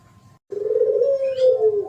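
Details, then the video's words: Spotted dove in the 'thổ pháp' cooing style, used as a lure to provoke males and females: a single sustained, mellow, low coo that swells and slightly wavers, with a faint chirp in the background. "Tiếng Chim Cu gáy thổ pháp mới nhất 2023 hay nhất dùng kích bổi kích trống kích mái"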